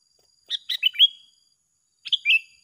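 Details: Sooty-headed bulbul in a singing contest between two birds: two short phrases of quick bright chirps, the first of four notes ending in a slurred whistle, the second of three notes.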